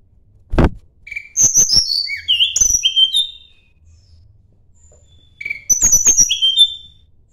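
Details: Sunda blue robin (tledekan gunung) seeking a rival: a loud low thump, then clear whistled notes stepping down from very high pitch, a pause, and a second similar phrase of sliding whistles.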